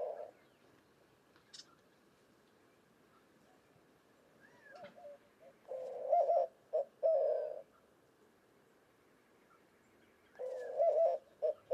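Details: White-winged dove of western North America cooing: low hooting phrases around 600, grouped in rhythmic bursts separated by pauses, with a faint high chirp from another bird early on.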